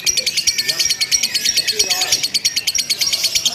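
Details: Contest-simulation recording of a lovebird in its non-stop ngekek: a rapid, shrill, buzzing rattle of pulses running unbroken throughout, with faint human chatter beneath.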